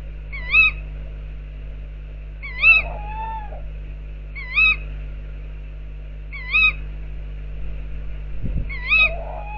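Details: A tawny owl outside its owl nest box gives five sharp, high, ringing calls, one about every two seconds, over a steady low electrical hum.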